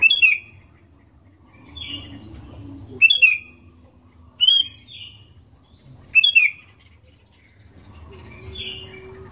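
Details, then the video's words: Sooty-headed bulbul in energetic song, offered as a lure to make other bulbuls sing: loud sharp chirps about every one to three seconds, each followed by a brief slurred note, with soft low murmuring between. "Kicauan Kutilang Gacor DOOR, Jagonya Buat PANCINGAN, 100% Pasti Langsung BUNYI"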